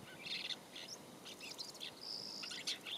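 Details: Woodchat Shrike (Lanius senator) singing near Olhão, Algarve, Portugal, in April 2021: a fast, scratchy medley of high chirps, buzzy notes and one drawn-out whistle, with faint background hiss.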